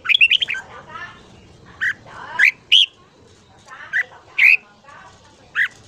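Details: Red-whiskered bulbul singing in the morning for voice training: a fast jumbled burst of chattering notes, then single loud whistled phrases spaced about a second apart, with faint background noise.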